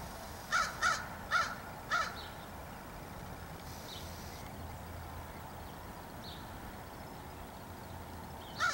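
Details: A crow perched in a tree, recorded 27 July 2015, gives four harsh, hoarse caws in quick succession within two seconds. A fifth caw follows after a long pause, with faint high chirps of small birds in the background.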